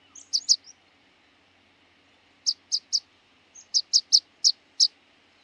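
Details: Rock pipit giving thin, sharp, high call notes: a quick pair, then three spaced chips after a pause, then a looser series of five or six, with near silence between groups.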